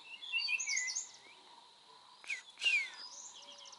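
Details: Common iora at Gir Forest National Park in Gujarat, India: a quick series of high twittering notes followed by a loud descending whistle, against a steady insect hum and soft distant chirps.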